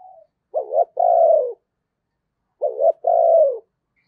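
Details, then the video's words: Two clean coo phrases from a decoy spotted dove in 'thúc gù' style, meant to excite wild doves at Tết. Each phrase is a brief tremulous note and then a drawn-out, gently falling hollow coo, with silence between. "Tiếng Chim Cu Mồi Thúc Gù Cực Hay và Hắp Dẫn Để Anh Em Kích Bổi Mùa Tết"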